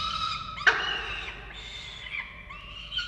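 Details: During chick feeding at a falcon nest in Orange, Australia, on 13 November 2022, a drawn-out, harsh whine is cut by a sudden click, followed by softer, fading wails.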